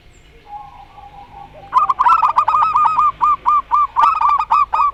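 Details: Local zebra dove of the rondo semoyo song style, answered by a dove with an odd voice: a low hum, then a rapid run of clear bubbling coos, about four notes a second, crisp and ringing.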